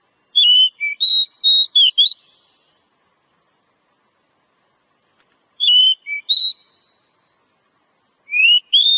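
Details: Wild Oriental magpie-robin, a fighter bird in nature, singing in its ngobra style: clear whistled phrases of rising and falling notes in bursts, then pauses, over silence.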